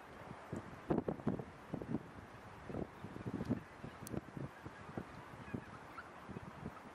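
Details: Mixed flock of a few thousand geese, mostly Greater White-fronted Geese with Tundra Bean, Egyptian and Barnacle Geese, grazing undisturbed in the Floris Schouten Vrouwenpolder on 26 January 2017; scattered short nasal honks in bursts over steady wind rumble.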